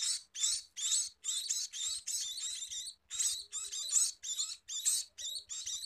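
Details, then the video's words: A scaly-breasted munia gives rapid rasping, high chirring notes in tight clusters, each burst brief and scratchy, pausing only briefly between them; faint soft tapping sounds lie underneath. "Meloloh Burung Emprit Peking!!"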